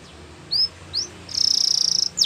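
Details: Canary with two separate upward-slurred whistles followed by a sustained rapid buzzy trill and a closing sweep, low hum in background.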